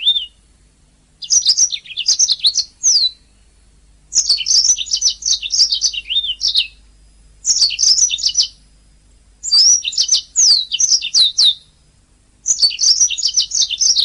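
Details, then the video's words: Long canary master recording for training singing birds: five energetic phrases of rapid, high, rolling twitters and slurred whistles, each about two seconds long, separated by short silences. "Ocehan Suara Burung Kenari"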